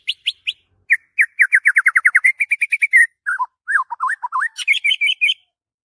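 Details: White-rumped shama morning song, the bird fired up: fast series of bright chirping whistles, a run of rapid repeated notes, then swooping lower slurred phrases and a higher scratchy chattering finish.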